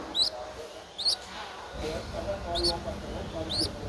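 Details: Streak-eared Bulbul nestling aged 11 days, Ubon Ratchathani, Thailand, April 2023, utters four sharp, high upslurred begging squeaks, separated by short pauses, over low rumbling background noise.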